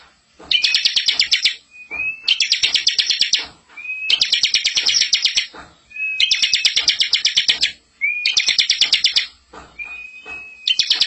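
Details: Master song of a bar-winged prinia for luring young birds: repeated loud, high, buzzy rattling phrases of about a second each. Each phrase is introduced by a thin rising whistle, with six phrases in quick succession against a quiet background.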